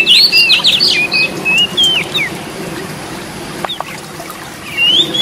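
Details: Oriental magpie-robin singing to spur other magpie-robins into song: a quick run of looping whistled phrases at the start, a long quiet stretch with a couple of faint clicks, then a rising whistle at the end.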